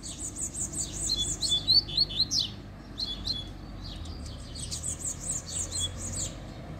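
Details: Double-collared seedeater (coleiro) singing during an outing in which two singing birds were found: bright, high phrases of quick, repeated sharp notes, the bursts separated by short gaps, over a faint low rumble.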